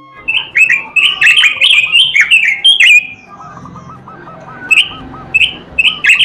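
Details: Oriental magpie-robin singing loudly: a rapid run of whistled, slurred notes with sharp high clicks for three seconds, then a softer rolling phrase repeating in the background and a few scattered sharp chirps.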